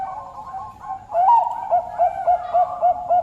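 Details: Bangkok turtledove singing: a run of short, clipped mid-pitched coos repeated about every third of a second after a brief softer opening phrase, with no other clear sounds.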